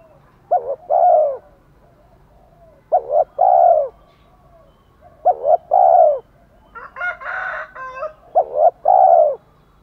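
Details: Spotted dove, male and female calls used to provoke a male to coo: repeated three-note coos, two short notes then a longer falling one, about every two and a half seconds, with a brief harsher burst near the end.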